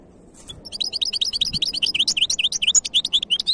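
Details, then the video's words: European goldfinch hybrid, 2023, delivering a quick, rising string of high tinkling chirps, each note short and bright and repeated several times a second, growing louder as it goes. "تغريد وابداع هجين الحسون"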